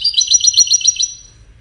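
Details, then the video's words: Goldfinch singing as part of courtship and communication: a one-second rapid run of about seven bright, high twittering notes that then fades away, on a quiet background. "Witness the Majestic Goldfinch Singing"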